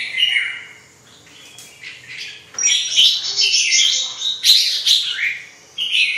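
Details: Red-whiskered bulbul song: a soft opening phrase, a brief lull, then a loud bright outpouring of rapid chirps and whistles that carries to the end.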